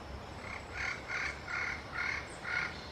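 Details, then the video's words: A yellow-fronted parrot communicating with its peers utters five grating, nasal squawks in quick succession, each short and harsh, with background rumble. "yellow-fronted parrot comes to communicate with its peers"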